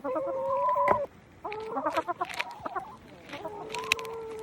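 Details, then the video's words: Hens calling: a long, nasal, even-pitched note, then a jumble of short clucks and chattering, ending in another drawn-out steady call over rustling background noise. "Who else loves the sound of chickens being chickens?!"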